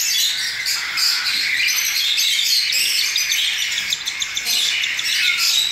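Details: A brood of young cockatiels recently out of the nest, hand-fed 10 ml of pap three times a day. They keep up rapid, overlapping rasping begging notes in a constant hissing chorus.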